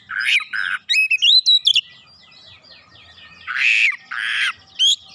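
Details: Oriental magpie-robin eagerly answering and pouring out its isian, or fill phrases: harsh rasping notes, a fast rising whistled run, soft ticking, then more loud raspy bursts and a high chirp.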